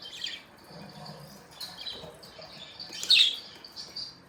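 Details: Morning chirping from pet budgies: thin, high twittering notes run on and off. One brighter, sharper chirp comes just past the midpoint.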